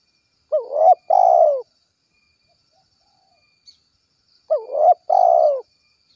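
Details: Calling to its companions, a spotted dove repeats its 'kuk 1' gacor phrase twice, about four seconds apart: a brief rising hoot, then a longer coarse coo sliding downward, over near silence.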